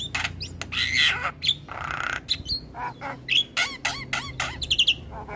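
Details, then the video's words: Javan myna song from a master training recording meant to make caged mynas sing vigorously: harsh squawks, a broad rasping burst, and quick rising and falling whistled notes in varied sequence. "Masteran Jalak Kebo Terpopuler Tayang Setiap Hari Bikn Jalak Makin Gacor"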